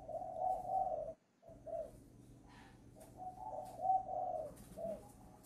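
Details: Young spotted dove, voice recently broken, in training at Ba Vì, Hanoi, Vietnam: rounded low coos in quick groups, a brief silent gap, then more coo phrases with a short higher note, light hum throughout.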